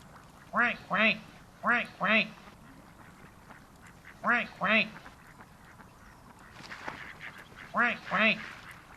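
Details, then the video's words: Pond ducks at a farm give nasal quacks in pairs, four couplets spread evenly over nine seconds, with soft rustling background noise between calls. "Barulho de Patos na Lagoa"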